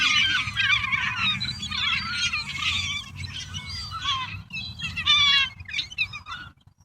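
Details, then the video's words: Wild flock of gulls scavenging pizza and leftovers from a pile, a continuous chorus of wavering squealing cries that thins toward the end into a few scattered calls. "Happy Seagulls Eating a Variety of Foods!"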